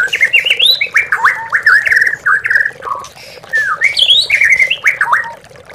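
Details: Lure recording of oriental magpie-robin (murai batu) song meant to stir lazy or silent captive birds: loud melodious whistles, swooping slurred notes and rapid chattering runs, with a faint constant background hum.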